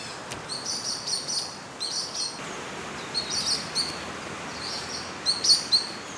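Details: A juvenile Crested Goshawk in Taipei's Da'an Forest Park gives high, thin whistled calls in short repeated bursts, possibly begging for food, early morning on 30 June 2022 in breeding season, some rising and slurred, over steady hiss.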